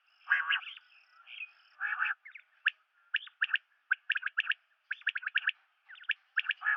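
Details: Common quail, or batair: a few harsh grating notes, then a rapid patter of sharp high clicks in pairs and triplets, dense and steady.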